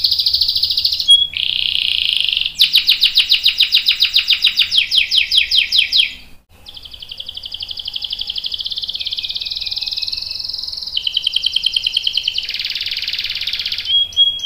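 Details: Canary singing a long rolling song used as a lure to make other canaries respond: steady blocks of fast, buzzy, rattling trills that shift pitch and speed every few seconds, with a brief pause in the middle.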